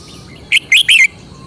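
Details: Red-whiskered bulbul kept in a cage in Thailand sings a short phrase of three loud, liquid, warbled notes, the last one drawn out and falling.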